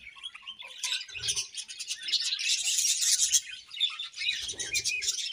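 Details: Several happy budgies chatter at once, a continuous high, buzzy warble of quick chirps and scratchy notes that swells toward the middle, with faint soft low thumps underneath.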